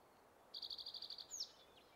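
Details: A male spotted towhee singing on territory at Metcalf Wildlife Management Area, Nebraska, on 23 May 2023 gives a dry rapid trill of about nine high notes in under a second, then a single sharp downslurred note.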